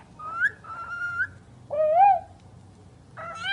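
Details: A talking bird whistles clear tones: a rising note, a level held note, a lower arching whistle, then a rich harmonic call that cuts off at the end.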